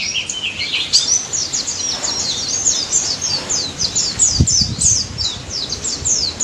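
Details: White-eye song: a long series of quick high slurred chirps repeated steadily, with a low thump and some background noise partway through.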